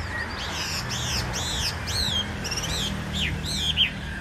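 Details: Caged Chinese hwamei with a fanned tail giving high, arching whistled notes with sharp up-and-down sweeps, spaced about half a second apart, over a steady low hum.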